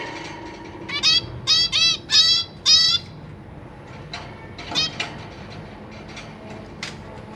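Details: Zebra finches kept in a cage, a pair with three juveniles and three new babies being fed by the parents, 3 March 2023; four loud nasal, trumpet-like beeps in quick succession, then softer scattered calls.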